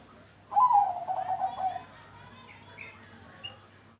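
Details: Perkutut Bangkok zebra dove song meant to coax other doves into calling: one rapid, rolling, cooing phrase opening on a sharp higher note and trailing off over about a second, followed by faint scattered chirps and low hum.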